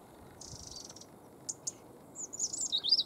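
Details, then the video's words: A European robin sings at Stiffkey saltmarshes on the Norfolk coast, UK, on 11 October 2015 at 9:18 am: high, thin warbling phrases with sharp ticks and rapid trills that brighten toward the end, over faint background hiss. "Robin bird sings"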